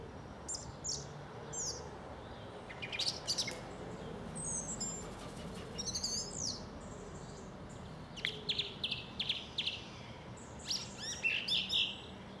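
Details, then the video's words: Song thrush from South England singing a long run of varied phrases: sharp high chirps, buzzy bursts and clear whistles separated by short pauses, some phrases repeated, over soft outdoor background noise. "Song Thrush singing - Grive musicienne"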